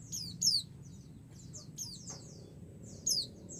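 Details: Female white-eye calling to a male, provoking his answer: two strong high, falling chirps at the start and near the end, with weaker thin twitters between and a dull low hum beneath.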